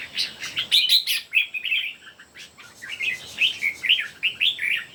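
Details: Competitive singing by three red-whiskered bulbuls: loud, rich whistled warbles, a dense burst at the start, a short pause, then a run of bubbling, rolling phrases.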